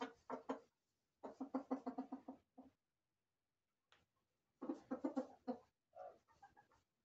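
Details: Roosters and hens in a corral: bursts of rapid, throaty clucking with gaps of quiet between them, ending with a few softer, higher notes.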